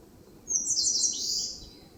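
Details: An Eastern Crowned Warbler sings one high, thin, buzzy phrase, just over a second long, in a forest on the slopes of Palbongsan, Seosan, over a faint low background hum.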